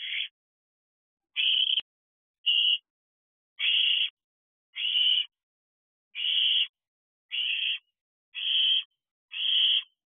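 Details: Barn owl owlets, the eldest siblings of a brood, together in a nest box at night (2:14 am, 7/5/23, about 13 weeks old, fireworks nearby); nine rasping hissed screeches at roughly one-second intervals, with silence between.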